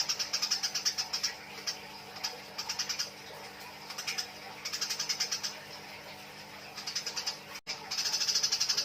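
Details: Chattering 'nyrecet' calls of fighting Eurasian tree sparrows, used as a tutor recording: uneven groups of fast, high chirps, some faint and some loud, ending in a dense sustained volley, with a low hum throughout.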